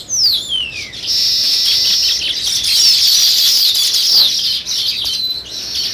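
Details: A steady, high-pitched wash of sparrow chirping runs almost unbroken throughout, opening with a single sharp downward-sliding note.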